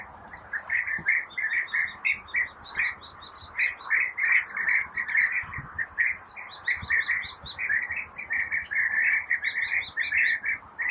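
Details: European bee-eaters feeding young at nest burrows after preparing insects: a steady chorus of short, rolling, liquid 'prruip' notes from several overlapping birds in quick succession.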